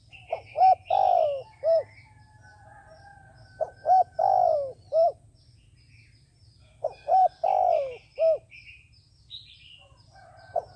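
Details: Decoy dove used to lure doves into traps, repeating its cooing phrase three times in about ten seconds: a short note, two quick hoots, a long throaty slurred coo, then a closing hoot. Light chirps of other small birds sound between phrases.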